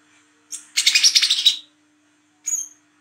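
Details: Brown-throated sunbird at night used as a lure call: a sharp high note, then a second of rapid, scratchy twittering chatter, and another thin high note, over a faint steady electrical hum.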